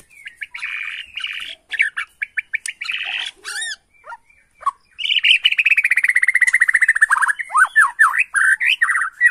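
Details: White-rumped shama of the Bornean form, sung as an agitated lure to make other birds answer within seconds; varied clear whistled phrases and chattering notes, then a long rapid buzzy trill and looping whistles, in quiet surroundings.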